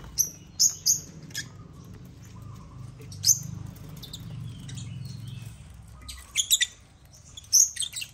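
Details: African lovebirds, several birds playing on a millet-laden toy construction crane; scattered sharp high chirps in short clusters with quiet gaps, a faint low hum and soft rustling beneath.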